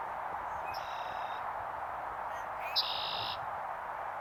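Two thin, high, steady whistled notes from a Red-winged Blackbird, each about half a second long and two seconds apart, over a constant background hiss.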